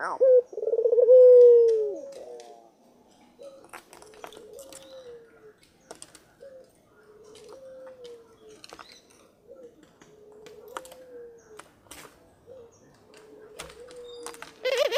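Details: Barbary dove, said to be very vocal: one loud, rolling coo falling into a drawn-out tone, followed by a long series of much softer, short coo notes repeated every couple of seconds, with faint clicks and knocks.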